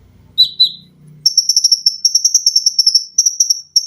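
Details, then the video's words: Caged olive-backed sunbird from a training recording: two sharp downslurred chips over a low hum, then a long rapid, very high stuttering trill of pulsed notes. "TERAPI KONIN GACOR FULL TEMBAKAN RAPAT!!!MESIN JAHIT,LENGKINGAN DAN BESETAN."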